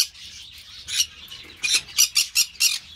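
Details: Captive-bred Green-cheeked parakeet (Pyrrhura molinae). One grating squawk is followed after a pause by a rapid string of five harsh, scratchy calls.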